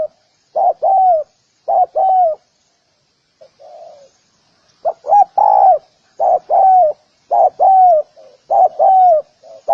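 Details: Spotted dove repeating its coo pattern over ten seconds, short notes leading into longer downward-sliding coos, with a quiet faint coo in a gap near the middle before the regular phrases return.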